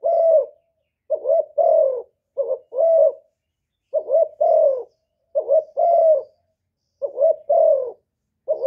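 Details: A decoy spotted dove in Cà Mau, Vietnam, coos persistently to bring in wild doves. Repeated phrases of clipped double notes run into a drawn, falling coo, with roughly five phrases heard and a quiet background.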